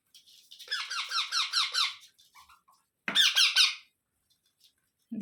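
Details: Young Indian ringneck parrots call during feeding: one long run of rasping, pulsed squawks, a few faint notes, then a shorter, louder burst, and a soft sound at the end.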